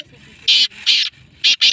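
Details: Female black francolin calling after rain: four harsh, loud, buzzy bursts in two pairs, each about a fifth of a second long, separated by short silent gaps.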